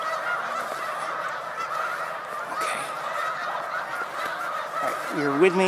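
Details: A huge flock of migrating Snow Geese resting on Cayuga Lake, New York, in March 2021 honks continuously in a dense chorus, with a brief human voice right at the end.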